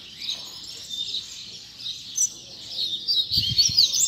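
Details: Tutor song of a Rusty-collared seedeater for teaching young birds: steady high warbled twittering, growing louder and more varied near the end, with a few low thumps in the background.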